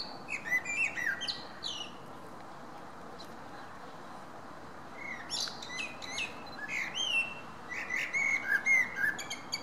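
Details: Common blackbird in Berlin, 10 June 2017, delivering short bursts of song separated by pauses: fluty whistles dropping into high scratchy twitters, about four phrases over ten seconds, against a steady low hiss.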